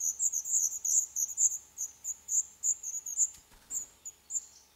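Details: Black redstart nestlings on day 11 in a nest built in an old furnace pipe of a condemned building in Poland. Thin, very high chirps come about three per second, slightly uneven, with a short knock partway through.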